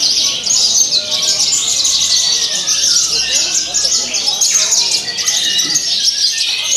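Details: Javan bush lark singing vigorously on the pole at a bird song competition, its mimicry-laden song a dense run of high chirps and trills, with a long descending whistle midway and human voices around.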